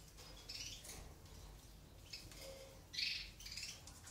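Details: Aviary-reared European goldfinch nestlings begging while a mutant eumo female feeds them; scattered harsh, high chirring bursts, with a loud, sharp burst near the end over faint background hum.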